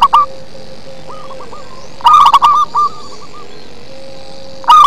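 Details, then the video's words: A local zebra dove sings in the prized deep bass manner, giving one loud central burst of rapid staccato coos between quieter distant coo phrases and a brief phrase at each end. "Perkutut lokal manggung ngebas"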